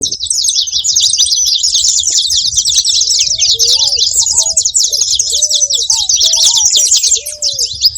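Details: Saffron finches making noise: a dense, unbroken chorus of high, overlapping chirps and twitters from several birds, with short, low, curved whistled notes repeated in the middle seconds.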